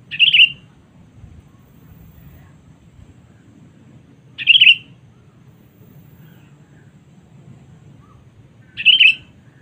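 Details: Sooty-headed bulbul lure call, used for luring and meant to summon rival birds: three short bubbly warbled notes, each around half a second, spaced about four seconds apart over a low background rumble.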